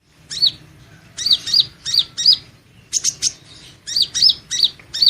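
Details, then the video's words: Van Hasselt's sunbird in training song: rapid bursts of high, thin, sharp chirps, each dropping then rising in pitch, grouped in quick clusters of two to four with short pauses between. "Suara Burung madu pengantin (Leptocoma sperata) Kolibri Ninja Konin Latihan Gacor Gantang"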